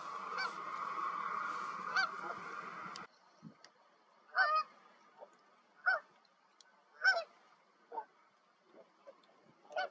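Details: Canada geese, several of them, returning in spring migration and settling to nest on a partly thawed lake as snow melts. Single nasal honks, spaced about a second apart and uneven, follow a noisy opening three seconds.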